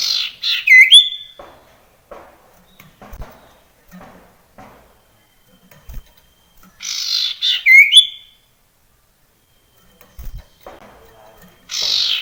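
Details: Wild male common iora played to prompt other ioras to sing: two bright whistled phrases with sharp upward-sweeping notes near three to four kilohertz, about six seconds apart, then a rough buzzy note at the end.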